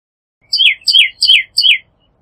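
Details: A Pyrrhuloxia, Cardinalis sinuatus, delivers a run of four loud, evenly paced whistles, each dropping in pitch with a slightly buzzy edge, repeated about every 0.35 seconds in a quiet setting.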